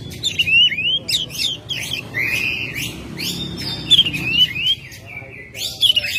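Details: Singing Oriental magpie-robin, a household bird recorded in May, delivering a continuous string of sweet whistles, rising slurs, scratchy notes and sharp chips, with faint low background noise.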